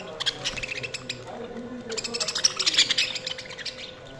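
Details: Budgies chirping: dense, lively chatter of rapid high chirps and scratchy warbles, repeated many times a second without pause and growing busier and louder in the second half.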